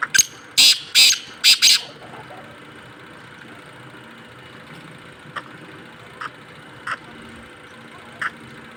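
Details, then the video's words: A Black Francolin (Black Partridge, Kala Teetar) gives four loud, harsh, grating notes in quick succession, then falls silent apart from a few faint clicks over a low engine-like hum. "Kala Teetar | Black Partridge"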